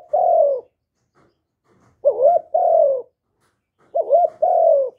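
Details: Spotted dove from Vietnam, recorded live in quiet conditions to prompt newly caught doves to call; a long coo, then two phrases of a hiccuping double note followed by a sustained, gently falling coo.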